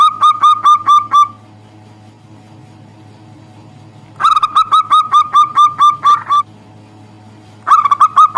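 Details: Local zebra dove calls out to a rival, meant to rouse birds slow to sing: three bursts of rhythmic, ringing coos separated by quiet gaps of a few seconds. A soft constant hum sits underneath.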